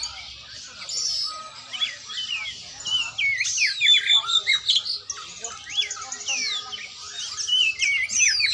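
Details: Oriental magpie-robin (kacer) in training: a rapid, varied song of sweeping whistles and clipped chirps, about two to three notes per second, louder in the middle.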